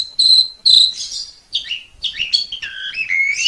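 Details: Asian pied starling tutor song. Clear, pure whistled notes are held steady, then broken slurred whistles dip and rise, with faint clicks in between.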